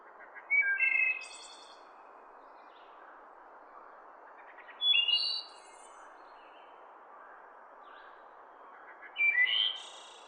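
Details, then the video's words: Wood thrush singing flute-like phrases about every four seconds, each ending in a high, buzzy trill, in its natural forest environment over a steady background hiss. "wood thrush bird sounds"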